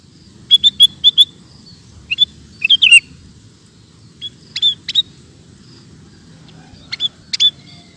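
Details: Sooty-headed bulbul, known locally as kutilang, in a recording for teaching caged birds: a series of short bright chirps, first four evenly spaced, then pairs and single notes with gaps, over a faint low hum.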